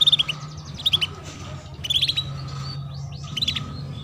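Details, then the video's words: A female canary's cuit-cuit chirps, played to get young canaries singing quickly: rapid runs of sharp high tweets in repeated bursts about every second, with a continuous faint low hum beneath. "PANCINGAN Kenari BETINA Cuit Cuit || Masteran Kenari Paud Agar Cepat Bunyi"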